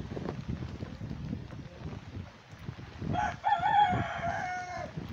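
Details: Bantam chickens of Lavender Old English Game, mille fleur and silver duckwing types foraging for worms in Tropical Storm Beta rain; after falling rain, a drawn-out harmonic crow-like call rings for about two seconds.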